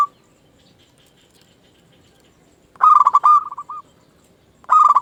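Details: Local zebra dove song meant to get other doves answering: after a quiet gap, one loud burst of rapid cooing notes fades into a few softer coos, and a second burst begins as the clip ends.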